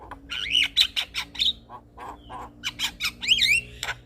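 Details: A male Javan myna sings as a lure to provoke replies from other mynas: squawky whistled phrases, harsh rasps and bubbling chatter, with looping rising-falling whistles near the end over a low background hum.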